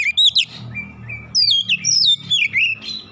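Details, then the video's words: Oriental magpie-robin in aggressive challenge after provocation, displaying its repertoire: clear whistled notes, some long and level, others fast descending slurs, delivered in loud bursts with short gaps. "sekali pancing Kacer lawan langsung gertak naik emosi bongkar isian"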